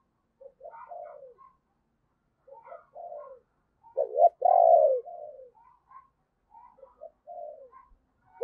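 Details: Spotted dove used as a decoy, cooing to attract wild birds: soft clipped coo phrases at first, a loud husky burst mid-way, then more gentle coos in a quiet setting.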